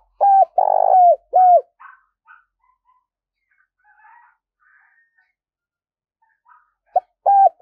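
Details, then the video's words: Decoy spotted dove cooing: a phrase of three mellow low coos at the start, a long stretch of near silence with faint soft noises, then the coos begin again at the end. "Chim cu gáy mồi đẹp mã gáy cực sung - dùng kích bổi hiệu quả"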